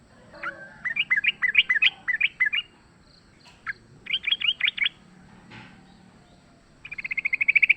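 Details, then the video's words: Sooty-headed bulbul singing in a fight, wild bird recorded as a lure: a series of short, rising whistled notes in quick phrases, a pause with single notes, then a fast buzzy trill building at the end. "trucukan gacor tarung full suara ALAM LIAR AMPUH buat PANCINGAN"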